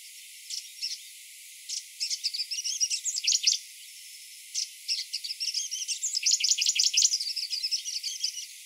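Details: Grey-breasted prinia singing in the morning: bursts of high, rapid chirping notes in phrases of one to two seconds, separated by short pauses, with a steady faint background hiss.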